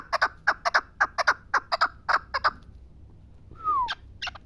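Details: Pamir chukar partridge repeating quick doubled chuk notes for two and a half seconds, then a pause, a single clear downward-sliding whistle and a few final notes.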